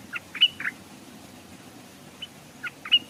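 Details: A Stripe-throated bulbul decoy bird hung beside a stream gives short, bright chirping notes in two loose bursts over a faint low hum; a wild bird came near but did not dare come down.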